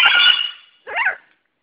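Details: A female talking double yellow-headed amazon gives a harsh, ringing squawk, then after a brief pause a shorter rising-and-falling nasal call; no other sounds.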